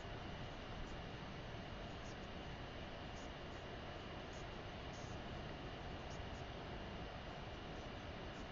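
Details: Constant broadband rushing noise, like strong wind on a microphone, fills the recording throughout.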